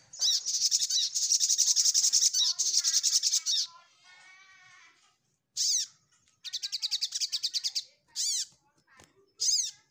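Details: Ruby-cheeked sunbird seeking a rival delivers a dense, high, rapid trill lasting over three seconds, a quieter buzzy pause, then separate chirps and another quick run of ticking notes.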